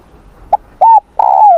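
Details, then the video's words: Spotted dove during a morning voice-training session in Vietnam. A brief pip is followed by a level, slightly rising coo, then a long sustained note that bends down at its end. "Tiếng Chim Cu Gáy// luyện giọng cu gáy buổi sáng cực đỉnh."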